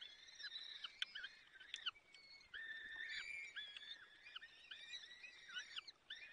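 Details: Peregrine falcon male feeding chicks at the nest, Barycz Valley, 30 April 2020, 14:28. Faint, thin whining calls overlap in a restless series, with brief clicking taps heard early on.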